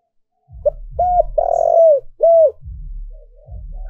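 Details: Decoy spotted dove calling to attract wild doves. One phrase: a short note and an arched coo, then a long buzzy coo and a final arched coo. Low thumping knocks are heard around it.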